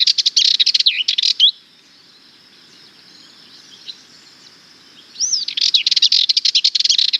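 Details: Sardinian warbler giving fast, angry-sounding rattling chatters, harsh clustered notes with squeaky slurred inflections, one phrase ending early, a long quiet gap, then a second burst beginning with a rising whistled note.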